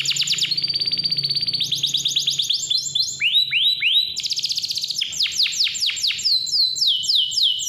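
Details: Clear, vigorous canary song used as a lure for young or lazy canaries: a fast rattling trill, then shifting sections of rapid high chirps and swooping whistles repeated several times a second, with a soft low hum underneath.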